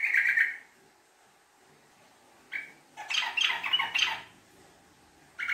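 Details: Sooty-headed bulbul lure recording of 'ngekek' song: a short bubbling chatter, a brief note, then a busier jumble of harsh, scratchy notes and a final chattering burst.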